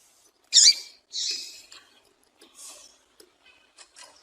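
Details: Female double-collared seedeater (papa-capim) calling, a call meant to make males sing at once. Thin, very high squeaky chirps: two stronger notes in the first second, then scattered faint short ticks and chirps in a quiet background.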